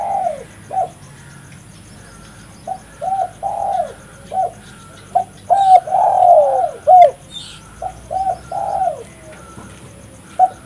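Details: Spotted dove cooing repeatedly, meant to lure other doves: a run of short hoarse coo notes in uneven phrases, a louder long descending coo near the middle, faint higher chirps from other birds.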